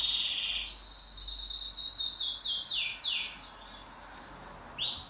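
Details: Pet canary singing in duet, a low rolling trill leaping to a high one, then a run of repeated downward-sliding notes, a quiet gap, and renewed high trills.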